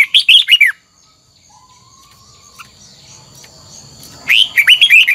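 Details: Old wild-caught red-whiskered bulbul delivering twisted double-note song for voice training: a fast warbled phrase, a quiet pause with a faint drawn-out low whistle, then another rapid burst of rising and falling notes.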